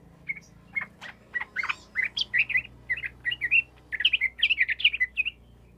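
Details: Sooty-headed bulbul singing in gacor, chatty full-song style, used to provoke silent bulbuls into answering: a run of bubbly, warbled notes around the upper-middle range, with short pauses between phrases, over a faint low hum.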